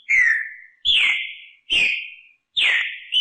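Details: Green-winged saltator singing the katrina song style, from a recording of 239 repetitions. Four loud, clear whistled phrases, each a bright note sliding down and fading, spaced under a second apart, on a silent background.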